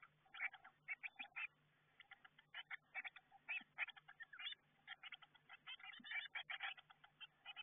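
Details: Blue tit young calling inside a garden nestbox shortly before fledging, picked up by the nestbox camera: a dense, continuous stream of brief harsh chips, several voices overlapping in uneven bursts.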